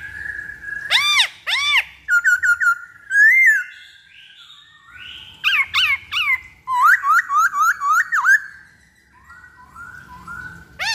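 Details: Black-throated laughingthrush song as a lure, loud arched whistles, quick chattering note series and sliding whistled phrases in varied bursts over eleven seconds.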